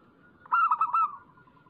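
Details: Single brisk phrase from a local zebra dove used as a lure to make doves sing: four quick, soft, clipped coos run together, fading into a faint steady hum.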